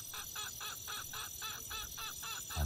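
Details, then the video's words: A junglefowl at night in light drizzle near a campsite gives about ten harsh, nasal, clucking notes in rapid succession, roughly four per second, over a constant hiss of rain. "itu suara ayam hutan"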